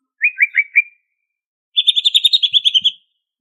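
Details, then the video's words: A greater green leafbird of Banyuwangi origin sings ngentrok style with fill phrases: four quick falling chirps, a brief silence, then a rapid metallic chattering trill lasting over a second. "Kicau Cucak Ijo Gacor Asli Banyuwangi Ini Asli, Ngentrok Full Isian!"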